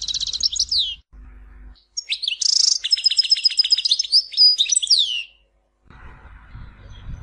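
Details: European goldfinch in Tizi Ouzou giving a short twitter, then a longer song with a buzzy note, rapid even trilled notes and descending slurred flourishes, with a low hum before and after.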